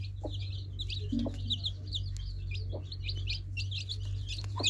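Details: Many baby chicks cheeping in high, rising-and-falling peeps, repeated constantly, with occasional faint knocks and a droning low hum behind.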